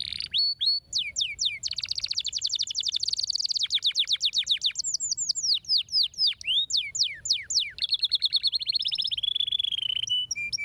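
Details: Canary song used to get non-singing canaries singing: over ten seconds of continuous rolls, a dense buzzy trill, rapid swooping down-slurred notes, then a steady rattling trill fading into lone whistles.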